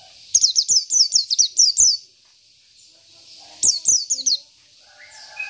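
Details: Local Oriental white-eye singing vigorously: two bursts of high, thin, rapidly repeated down-slurred whistles, about seven notes, then four after a pause, with faint clicks between.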